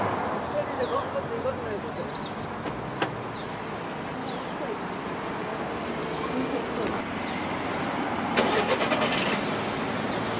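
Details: Flock of Japanese pied wagtails (white wagtail, Motacilla alba lugens), males and females, arriving in late autumn to roost in evergreen oaks at a commercial parking area's edge, giving many short, high, sharp overlapping chirps over steady road traffic roar.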